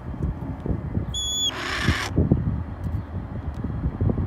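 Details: Wild red-tailed hawk waiting to be handed raw chicken, giving begging calls before the food arrives. A single call of about one second opens with a thin, high whistled note, then breaks into a harsh, raspy burst over steady low rumbling background noise.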